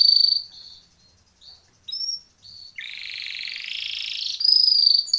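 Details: Timbrado canary singing a training song: a high pure whistled note, brief chirps, then a long buzzy rolling trill and a sharp whistled note, all high-pitched with short pauses between phrases.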